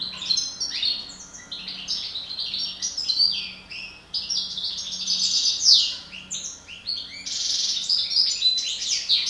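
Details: European goldfinch, parva form, from a breeding pair, sings a continuous, high tinkling warble of rapid twitters and buzzy trills over a steady low hiss.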